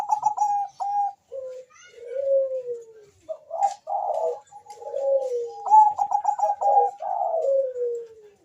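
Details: Zebra dove calling fast with a rival answering: quick staccato coo bursts alternate with longer falling, slurred coos that slide downward, the pattern repeating several times.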